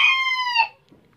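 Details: A rooster recorded by chance in Tabulahan, Mamasa regency: the brief end of a crow, a strong harmonic note held steady before a quick falling finish, then near silence.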